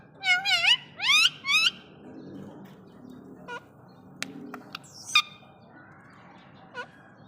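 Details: Rose-ringed parakeet (Psittacula krameri), contact call: female calling to the male.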